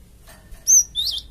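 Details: Java sparrow lure call meant to prompt untamed flock birds to answer: one bright whistled note followed by a rougher, buzzy high chirp.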